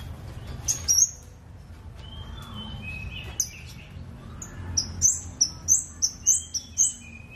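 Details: Scarlet-backed flowerpecker song mixing high, thin, sharp ticks with lower slurred twitters, ending in a quick regular run of six or seven piercing high notes.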